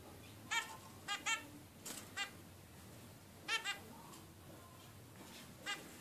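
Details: Young zebra finch at 16 days old calling: crisp nasal notes, often in close pairs, repeated irregularly, with a quiet steady background hum.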